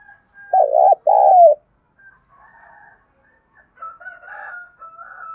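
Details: Spotted dove 'thúc gù' cooing, played to draw in wild doves, opens with a strong pair of throaty coos, followed by several seconds of fainter, higher, scratchy background sounds.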